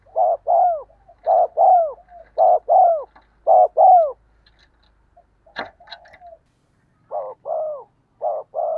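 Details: Spotted dove decoy cooing in the 'giọng đồng' voice, played to get wild doves cooing back: rapid paired hollow coos repeating, broken midway by clattering knocks, then the double coos resume more softly.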